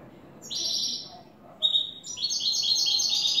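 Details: European goldfinch in cante limpio song: a short high twittered phrase, a brief pause, then a longer run of fast, liquid, chattering notes climbing slightly in pitch.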